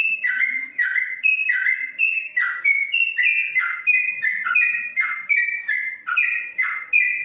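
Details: Caged, covered yellow-vented bulbul in Kebumen, Indonesia, pouring out long 'ropelan panjang' song: steady chain of paired whistles, a higher note falling into a lower one, repeated roughly every half second without pause; thin steady high tone behind.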